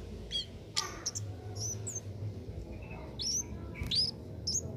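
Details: Cit keres singing for a songbird-training master recording: brief, piercing high whistles and quick chirped phrases in short bursts, separated by pauses, over a low background hum.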